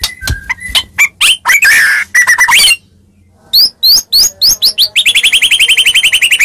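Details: Fighting lure from a Medan white-rumped shama: varied clear whistles and a harsh rasp, a brief silence, then sharp upslurred notes leading into a fast, even series of repeated chirps.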